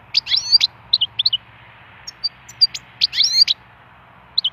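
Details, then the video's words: Wild goldfinch song used for song stimulation: clear twittering phrases with liquid rising notes, bursts of rapid chirps separated by brief pauses, scattered sharp tweets between; a low background hum persists. "chant chardonneret sauvage"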